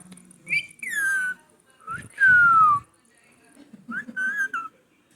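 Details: Green pet parrot imitating speech, repeating "me too" in whistled, voice-like phrases: several smooth falling tones, one long strong descending whistle in the middle, and a few shorter wavering notes near the end.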